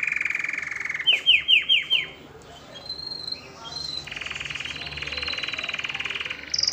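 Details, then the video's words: Canary singing to stimulate females to mate: a run of four quick, sharp, descending chirps, then a long buzzy trill and high thin notes over steady background hiss. "تغريد الكناري لتحفيز الاناث على التزاوج"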